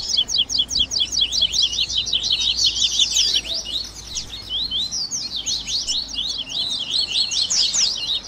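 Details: Baderna-style singing of the Double-collared seedeater (coleiro), blending tui tui, grego, viviti, flauteado and 3ª nota phrases for training caged birds: long bursts of fast, high, zigzagging notes, briefly thinning near the middle, then dense again.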